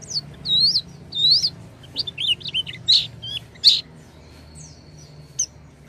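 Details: Oriental white-eye song meant to prompt a silent white-eye to sing: looping, upslurred high whistles at first, then quick chirps and sharp notes, ending in a thin sustained tone over a faint low hum.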